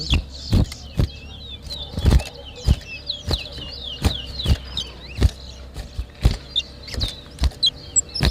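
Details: Towa towa seed finch in a whistling competition in New Amsterdam, Berbice, Guyana, 2023: thin, fast whistled phrases rise and fall, partly masked by loud dull thumps and knocks about every half second.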